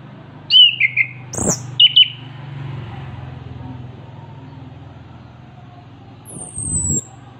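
Orange-headed Thrush gives two short, clear whistled phrases, then a thin high descending note, over a steady low engine-like hum and a few clicks.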